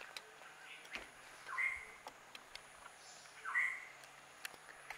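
Tickell's blue flycatcher gives two short, sharp mid-pitched calls about two seconds apart, against scattered clicks and a faint background hum.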